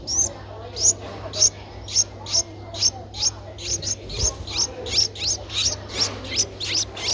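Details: Streak-eared bulbul nestling aged 11 days, Ubon Ratchathani, Thailand, 13 April 2023: loud sharp high squeaks repeated steadily, roughly two per second, with a constant low hum behind.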